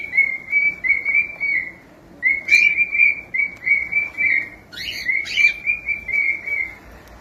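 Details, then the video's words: Pet cockatiel chick singing: a long steady whistled tone pulsing rhythmically several times a second, broken by two brief bursts of sharper chirps, in a quiet room. "SOM DE CALOPSITA CANTANDO"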